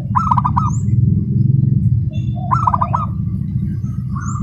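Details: Local zebra dove, a competition prospect, in fast, tightly packed song likened to a sewing machine: two bubbly rolling coo phrases over a loud constant low rumble, with a brief high chirp after each.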